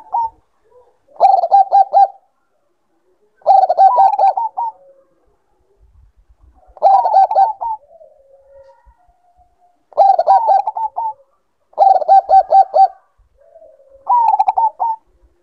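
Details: Zebra dove of the Bangkok type, played to bring birds into breeding condition. Bursts of rapid, pulsed, bubbling coos about a second long recur every two to three seconds, with short soft coos between phrases and no other clear sounds.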